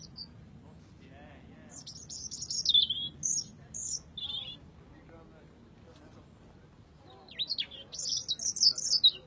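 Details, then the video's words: Robin singing short, high, thin warbling phrases with brief pauses between them, over a faint low background murmur. "Singing robin"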